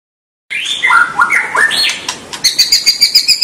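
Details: White-rumped shama song meant to set young and juvenile birds singing: after a short silence, a run of clear whistled notes falling and rising, then a quick series of bright, evenly repeated high chips.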